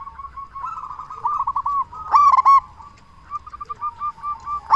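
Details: A loud local zebra dove calls to provoke answers from others of its kind. Soft runs of rapid cooing notes surround one sharp, emphatic stuttered burst in the middle.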